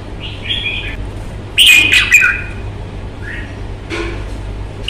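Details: Red-whiskered bulbul kept as a cage bird, shown in fighting form with a fine voice: short bright whistled notes scattered across the clip, loudest a burst of rich warbled phrases in the middle, with a steady low hum behind.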